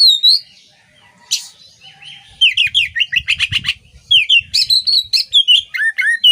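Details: Oriental magpie-robin song as training material: a high whistled slur and harsh rasp, then a dense, fast medley of chattering trills and twisting whistled notes repeated in quick succession.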